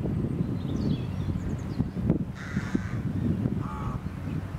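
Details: Rooks beside their nests with young high in a tree in England before Easter give a harsh drawn-out caw followed by a shorter one, set against steady blustery wind noise.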